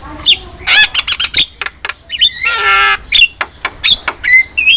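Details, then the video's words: Javan myna singing vigorously, recorded as a master track for training songbirds: harsh squawks, sharp clicks and rasping bursts mixed with high whistled notes rising near the end. "MASTERAN JALAK KEBO GACOR"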